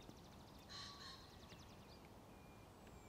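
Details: A distant Common pheasant (Phasianus colchicus) at Ljubljana Marsh (Črna pot), Slovenia, 13 April 2024, gives a brief, harsh, hoarse call with a rapid whirring rattle around it, over a low background rumble.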